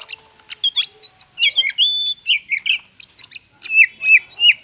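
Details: Oriental magpie-robin in the varied 'konslet' song style, used to prompt reluctant magpie-robins to sing: a rapid jumble of high whistles, slurred chirps and twittering notes, densely packed with short gaps.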